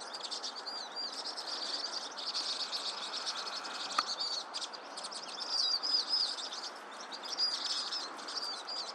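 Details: Vinous-throated parrotbill: busy high chirping throughout, with a brief series of arched whistled notes midway and a single sharp tap.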